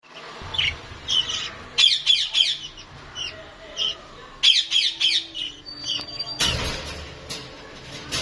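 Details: Lovebirds in Lahore give shrill, high squawks in quick clusters of three or four, with pauses between bursts and a harsh noisy outburst near the end.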